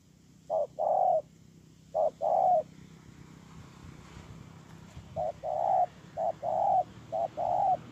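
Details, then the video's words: Cooing spotted dove, Tu Mơ Rông in Kon Tum, Vietnam, 10/1/2018: two paired phrases of short note plus longer smooth coo, a pause of about two seconds, then three more pairs, slightly softer. "CU GÁY"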